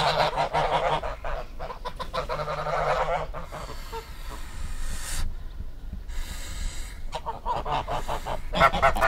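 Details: Group of geese honking loudly, rapid overlapping nasal calls in dense bursts, a quieter gap midway, then the honking resumes over low background rumble.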